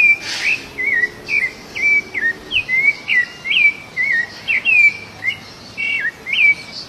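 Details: Free-living rufous-bellied thrush singing as it feeds in the wild, producing a rhythmic series of fluty whistled notes that slur up and down, roughly two each second, with a short noisy rustle early on.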